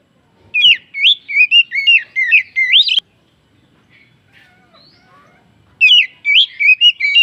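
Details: Oriental magpie-robin lure song to stir other birds: a rapid chain of sweet, warbling whistles, then a silent gap, then another lively burst.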